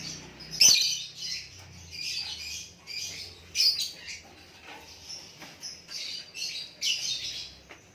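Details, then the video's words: White-rumped shama song: bursts of bright, high whistled and scratchy phrases, each about a second long, separated by short pauses, with a faint low hum underneath. "Lakbet super kicauan natural"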